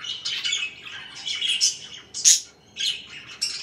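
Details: Pet budgerigars in the morning, rasping squawks and warbled chatter in irregular bursts, one loud sharp squawk standing out, a brief pause before more chirps.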